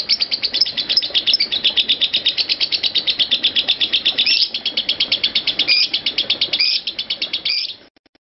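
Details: Lovebird in a long ngekek trill used as a master recording for training lovebirds: a rapid, shrill, continuous chatter of high notes repeated almost three times a second for over seven seconds, ending with a few squeaky upslurred notes.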